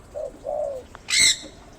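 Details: A young spotted dove, about two months old, kept for cage training, gives two soft, low coos, the second longer and gently falling. A sudden loud, harsh burst of noise follows.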